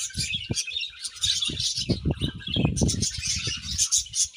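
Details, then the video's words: Many budgerigars chattering happily in a colony: constant high, buzzy twittering and squeaky chirps, accompanied by frequent dull low knocks and thuds. "𝐇𝐚𝐩𝐩𝐲 𝐁𝐮𝐝𝐠𝐢𝐞 𝐒𝐨𝐮𝐧𝐝𝐬 | 𝐁𝐢𝐫𝐝𝐬 𝐒𝐢𝐧𝐠𝐢𝐧𝐠 | 𝐁𝐮𝐝𝐠𝐢𝐞𝐬 𝐂𝐡𝐢𝐫𝐩𝐢𝐧𝐠 𝐒𝐨𝐮𝐧𝐝𝐬"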